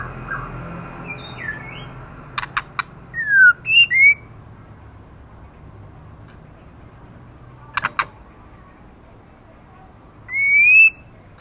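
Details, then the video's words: Intensely singing moulting female white-rumped shama, feathers flying as it snaps: click pairs separating bursts of slurred whistles, falling then rising, ending on a long bright rising whistle, with faint hum throughout. "LỬA MÁI THAY LÔNG TRỤI LỦI ĐẬP TẠCH LÔNG BAY VUNG VỤ HÓT CỰC XUNG KÍCH LỬA"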